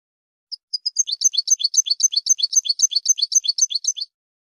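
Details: A European goldfinch delivers an even, rhythmic run of high, sparkling chirps, about four per second, each a quick descending double note. A couple of lead-in notes come first. The background is silent.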